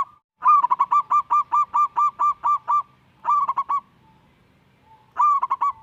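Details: Young local zebra dove in energetic song, meant to stir lazy doves into singing: a fast run of about a dozen evenly spaced clipped coos, then two shorter bursts of four notes with brief soft trills between.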